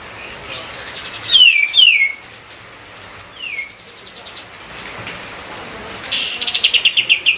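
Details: White-eye song used as a lure to spur other songbirds, the bird in full voice: a pair of sharp descending whistles, a fainter falling slur, then a fast rattling series of high chips.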